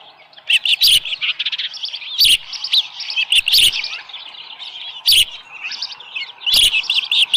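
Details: Osprey at a ranch nest on a July 2018 morning, a small live fish brought in. Thin, high chirps run in bursts, broken by loud sharp knocks about every one to two seconds.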